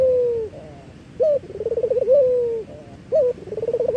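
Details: Local collared dove performing its song as a lure for training birds: a falling drawn coo, then a brief hoot followed by a bubbling trill rising into a longer note, repeating.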